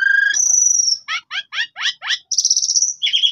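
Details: Lure song of a black-winged starling meant to make another bird answer: a long high whistle, then five quick buzzy descending notes, followed by a shrill sustained trill and a lower whistled ending.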